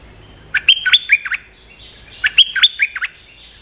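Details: Stripe-throated bulbul giving lure calls toward a territorial resident: two loud, liquid phrases of about five quick slurred notes each, rising and dropping, separated by a short pause.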